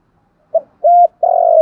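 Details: Spotted dove used as a decoy, calling in the standard pattern. A short soft note and a level hollow coo are followed by the start of a long rolling, purring coo that is cut off.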